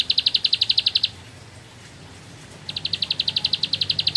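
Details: Bar-winged prinia of the rice fields giving ngebren song in two bursts of rapid, sharp high notes, separated by a quiet gap of over a second.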